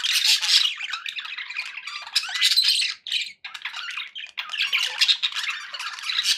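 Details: Budgies chattering for pet parakeets: loud, harsh warbling and squeaky chirps, dipping into short silent breaks near the middle before busy chatter resumes.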